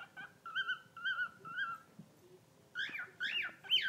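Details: Newly rescued bird, recorded in May 2019, gives three level, even whistled notes, a short pause, then a burst of louder, harsher squealing chirps that imitate guinea pigs.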